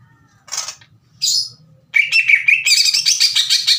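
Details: Greater green leafbird in captivity, singing harshly to challenge rival leafbirds. Two short rasping bursts, a pause, then rapid buzzy whistled notes over a soft low rumble.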